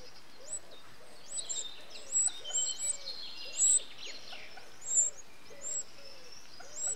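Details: Eurasian wren nestlings beg as an adult feeds them, giving very high, thin chirps in short bursts over a soft, low, regularly repeated hum; recorded 8 June 2013.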